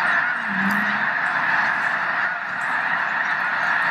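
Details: A vast wild flock of snow geese at Loess Bluffs National Wildlife Refuge, 21 February 2020, on a beautiful winter day. Countless honking voices blend into a continuous roar, with a brief low hum near the start.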